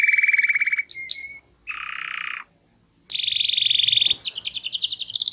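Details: Small-bodied canary singing loudly and melodiously with varied phrases, used as a training song: fast buzzy trills at several pitches, broken by short pauses, then high rapid rattling tours near the end.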